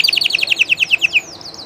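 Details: Short passage from a live llarguet español canary: a quick run of about twelve bubbling repeated notes, followed by a faint high wavering whistle.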